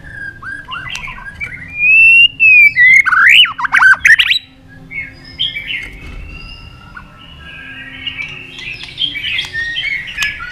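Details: White-rumped shama competition singing in long forest style: a loud clear whistle sliding upward, then a burst of powerful swooping notes and loud clicks, followed by softer, busier high warbling.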